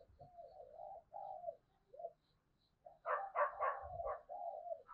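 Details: Zebra dove from Malaysia giving soft, low rolling coos, followed by a louder, harsher burst of overlapping notes, with faint background rumble.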